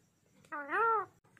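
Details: A pet Indian ringneck (Rose-ringed Parakeet), talking to a mirror, gives one drawn-out, meow-like vocal note that rises, holds, then falls over about half a second. The room is otherwise quiet.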